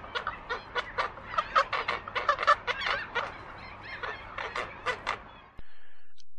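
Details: Roseate Spoonbill (Platalea ajaja) call: a quick run of low, rough grunting clucks, three or four a second, for about five seconds, then a faint steady hum.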